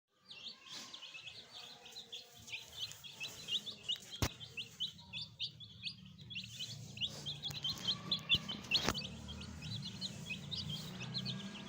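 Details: Several fresh chicks kept as pets, with a hen, peep in a rapid, busy chorus of short, high, slurred notes, more than two per second. Sharp knocks at about four and nine seconds. A low rumble builds in the second half.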